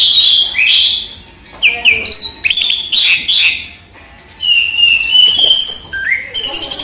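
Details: Orange-headed thrush kept in captivity sings by day: varied whistled phrases with quick up-and-down slurs, broken by short silences, then a burst of rapid twittering notes.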